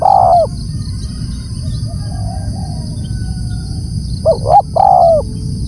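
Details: Spotted dove calling: the end of one drawn-out coo, a quiet gap, then a full phrase of two short hoots and a long falling coo, over a steady high whine and low hum.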